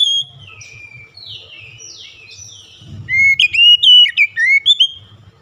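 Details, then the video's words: Oriental magpie-robin in full lively song. A slurred, descending whistle run opens, then a burst of sharp, rising and falling whistled notes packed closely together. A low hum sits underneath. "PANCINGAN KACER LANGSUNG ANGKAT SUARA GACOR BONGKAR ISIAN"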